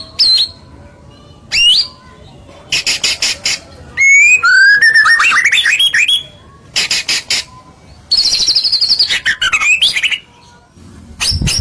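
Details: White-rumped shama singing a loud, varied song used to provoke other birds to sing. Sharp whistled notes sweep up and down between rasping, clicking bursts, and one long, high, wavering whistle falls away.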